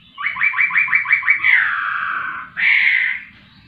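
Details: Rapid run of about eight identical buzzy, chopped notes from a laughingthrush, followed by a long falling slurred note and a brief, loud, higher whistled phrase. A faint low hum sits underneath.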